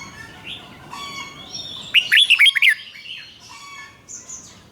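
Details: Caged red-whiskered bulbul singing a doubled song played to teach young birds: one bright phrase of rapid, rolling whistled notes stands out from a background of softer chirps and steady thin whistles from other birds.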